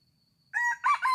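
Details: Red junglefowl crowing, the crow starting after half a second of quiet: a loud, harmonic, hoarse call in two rising-and-falling phrases, clipped at the end, with a faint steady high tone behind.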